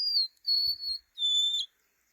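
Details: Golden-crowned sparrow, whose males and females call all winter long: three pure, plaintive whistled notes, each held steady, the last one lower and ending in a slight waver, with a sad, drooping feel.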